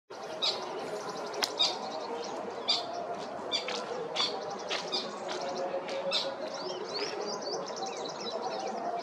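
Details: Brahminy starlings on a thorny bush at noon in December at Bharatpur bird sanctuary, Rajasthan, India, give a busy chatter of short, high, squeaky chirps and creaky notes, with sharp clicks and wing flutters over a low hum.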